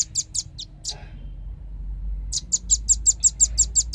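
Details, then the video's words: Velvet-fronted nuthatch lure sound for calling birds in: a few uneven high chips, a quiet gap, then a brisk even run of sharp notes. "suara pikat burung rambatan ribut suara jernih paling ampuh di jamin kumpul"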